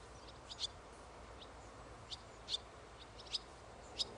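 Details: Young barn swallow recorded on 1 August 2011, giving short, high, sharp chirps singly at irregular intervals of roughly half a second to a second, over a steady background hiss.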